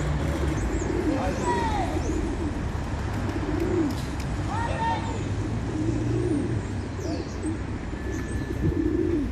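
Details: A group of pigeons cooing: low, throaty coos rolling out every second or two over constant traffic rumble, with faint high chirps from other small birds.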